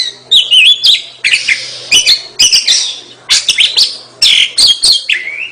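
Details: Gacor song of a kacer, the Oriental magpie-robin: clusters of scratchy chirps and whistled fragments in rapid bursts, ending with a softer falling whistle.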